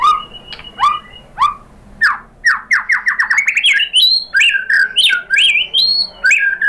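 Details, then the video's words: White-rumped shama lure song for provoking a shama to answer: rich, loud and varied, starting with spaced downslurred whistles that quicken into a rapid rising series, then looping, swooping phrases over a wide pitch range. "spontan NYAMBER !!! MURAI BATU jadi EMOSI NYAUT GACOR ¦ PANCINGAN MURAI ¦ SHAMA BIRD"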